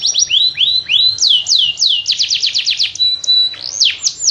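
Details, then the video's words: Canary warbling with rising slurs and falling swoops, a quick series of descending notes, a short steady whistle, then more sweeping phrases. "تغريد مع جميع أنواع طيور الكناري"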